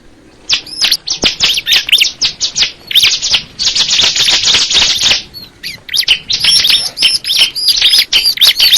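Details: Crystal ciblek, a bar-winged prinia, rattling off dense, rapid high chirps with a buzzy stretch in the middle, then sharp ringing whistles toward the end.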